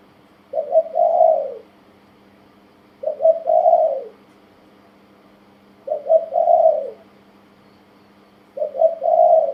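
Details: Caged tame male spotted dove, about a year old, repeating its coo phrase four times at steady intervals near 2.5 seconds: a short soft note, then a longer rounded, slightly tremulous coo falling away at the end.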